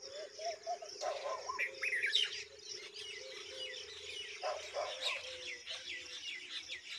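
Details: Red-vented bulbul feeding a large mantis to its young; short chirps and sweeping whistled notes in scattered bursts over a steady insect-like hum and other bird chatter.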